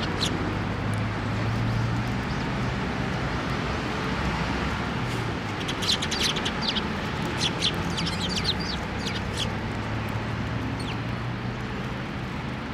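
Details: Sparrows gathering for food on a post at a Tenmangu shrine, 1 December 2023: a cluster of rapid, high chirps and ticks in the middle stretch, set in loud, steady low traffic rumble.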